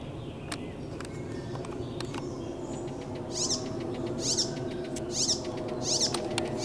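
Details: Icterine warbler song recorded on 15 June 2023: after a quiet start, high, sharp chevron-shaped notes repeat about once a second, with scattered clicks and a steady low rumble beneath throughout.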